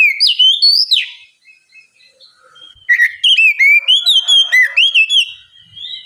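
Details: Relaxed ngeplong song of an Oriental magpie-robin, used to prompt a bird reluctant to sing: bright looping whistles, a quiet gap, then a fast run of sweeping, upslurred whistled notes.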